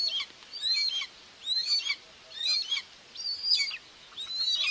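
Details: In Tiszalök, Hungary, on 2 June 2024, a nest-cam common buzzard mother feeds two chicks; high drawn-out whistles, rising then dipping, come in four or five bursts with a faint hiss behind.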